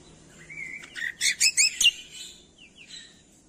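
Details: Cucak kombo masteran for prompting reluctant birds: a long rising whistle, then four loud chattering notes, trailing into faint downslurred whistles.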